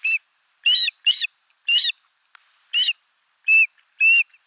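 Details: Osprey at a nest on a Finnish nest camera, 29 June 2024, as the father arrives with a large live fish and the mother feeds their only chick; short, piercing whistled notes, about seven in quick succession with uneven gaps.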